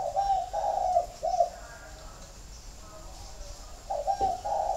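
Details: Captive spotted doves in Ba Vì, Hanoi, Vietnam. A clear, husky coo phrase of three linked notes is followed by a quiet stretch with faint murmuring, then a new coo phrase begins at the end.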